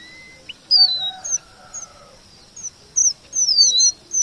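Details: Sparse red avadavat phrases imitating white-rumped shama: a thin steady whistle, then a sliding high note with a lower drawn-out tone, followed by short high chips and a quick falling looped whistle after pauses.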